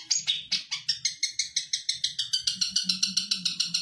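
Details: Captive long-tailed shrike singing contest song material mimicking other songbirds: a rapid run of short high chirps that speeds into an even trill of clipped notes, with a low background hum.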